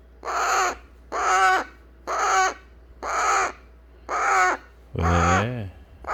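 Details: Eclectus parrot chick after hand-feeding, pestering to be cuddled: six rasping, nasal squawks at steady one-second intervals, the last one dropping into a lower, wavering, bending tone.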